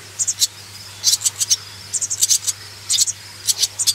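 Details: Swallow chicks being reared, begging with short, high, scratchy chirps in quick clusters of two to four, repeated irregularly over a steady low hum.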